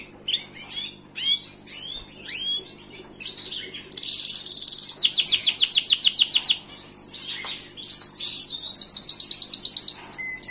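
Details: Short scattered chirps from a Gloster canary lead into a loud, rapid high trill held for over two seconds, followed by another fast rolling trill.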